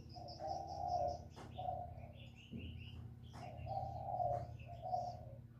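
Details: Spotted dove, its calls used as a lure for trapping: a run of soft, throaty coos, some long and wavering, with a low hum beneath and high chirping of other small birds.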